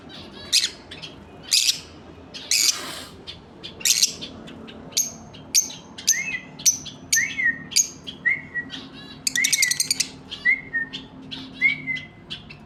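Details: Lovebird pair calling with harsh high chirps and scratchy bursts, followed by a series of shrill notes each ending in a short lower whistled slur, about one per second.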